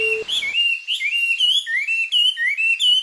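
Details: A Japanese white-eye's summer song, recorded at close range in mid-July, is a fast, continuous warble of high, thin, sweet notes twisting up and down without pause, with distant other birds and a brief low hum at the start.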